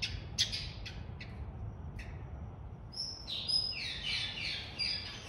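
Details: Taveta golden weaver in a zoo, March 2023: a few sharp clicky notes, then a run of buzzy descending chatter notes with high whistled overtones, over a steady low hum.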